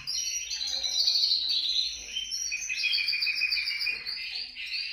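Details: Canary voice from a recording made to start canaries singing: quick bursts of high, sparkling trills and chips, rising and falling in strength, with short gaps between the phrases.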